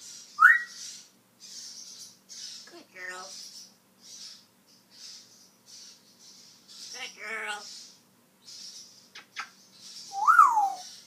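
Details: African grey parrot known for talking, repeating learned sounds: an opening rising whistle, two speech-like buzzy harmonic phrases in the middle and a closing arched whistle, with regular soft hissing noises throughout.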